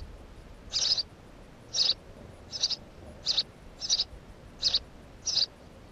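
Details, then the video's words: House sparrow filmed near its nest, giving short, sharp chirps roughly once a second, seven in a row with brief quiet gaps and a faint steady background hiss. "Воробей домовый"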